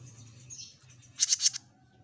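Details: Jenggot Mini bird in lively song: soft thin warbling at first, then four quick, loud, very high chirps, with a steady low hum underneath.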